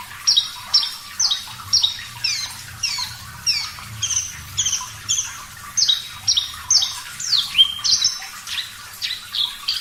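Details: Parva-type Javan bush lark singing strongly with a clean tone: repeated high, piercing notes sweeping downward, mostly paired or in quick runs, with one longer descending slur near the end and a quiet low rumble beneath.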